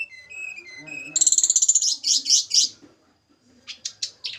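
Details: Snowy-browed flycatcher from Java's mountains during a pairing session: short high whistled notes, then a fast dense trill and a few buzzy bursts, with faint low murmuring underneath.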